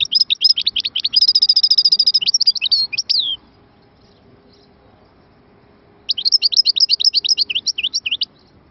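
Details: European goldfinch singing a high, rapid twittering song of sharp chirps, including a fast even buzzy trill, pausing for about three seconds, then resuming with another quick run of clipped notes.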